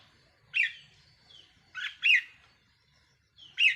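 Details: Red-whiskered bulbul used as a caged decoy bird, 4 May 2023: loud, bright, slurred chirps in quick pairs and singles, with brief soft whistles between them.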